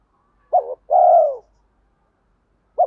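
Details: Spotted dove kept as a lure, cooing in a deep 'thổ' voice blended with the urging 'thúc' style to bring wild doves in to fight. One full phrase: a brief warbled note, a pause, then a long slightly falling coo. A new phrase begins at the end.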